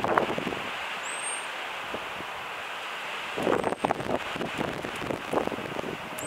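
A common blackbird gives three thin, very high, drawn-out warning notes, spaced a couple of seconds apart, over a steady roar of wind or traffic.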